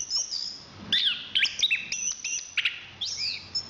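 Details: Chestnut-capped thrush (anis kembang), a national champion singer, giving a short burst of high clear whistles and quick chirps with a thin sustained tone behind, notes spaced irregularly over a few seconds.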